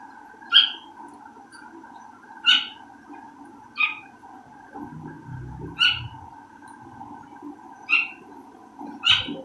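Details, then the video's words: Caged partridge, one of two shut in separately during cooking, calling noisily: sharp, high, clipped notes about every one and a half to two seconds over a steady mechanical hum and faint household noises. "تیتر کی آواز سنیں۔"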